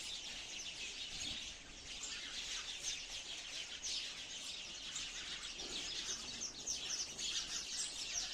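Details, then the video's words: Sparrows chirping in a continuous dense chorus of short, high tweets overlapping throughout, with a faint hiss beneath. "Real sound of beautiful sparrow"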